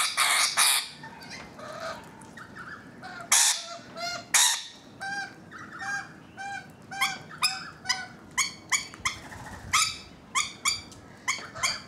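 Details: On a balcony, rainbow lorikeets open with several loud rasping screeches, then settle into a steady series of short, clipped, nasal chirps repeated roughly every half second.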